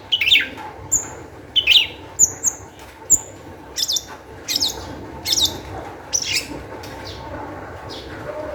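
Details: Long-tailed shrike (cendet) in full, energetic song used as a lure to make other shrikes sing; scattered harsh scratchy notes and short clear whistles, irregularly spaced against a steady background hum.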